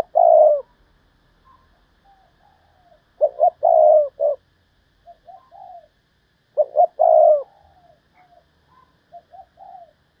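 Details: Decoy spotted dove giving thúc bổi calling to lure wild doves: three loud phrases roughly every three and a half seconds, each two short clipped notes then a longer, low, level coo, with soft fainter coos between.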